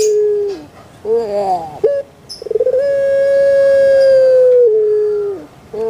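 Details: Puter pelung dove, kept and cared for, calls with a falling note, a burst of rough rolling gurgles, then a long sustained mellow note that steps down before fading.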